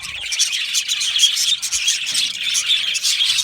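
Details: Aviary flock of Australian budgies giving rapid, high overlapping chirps and warbles, with a few clearer whistled notes rising above the constant chatter.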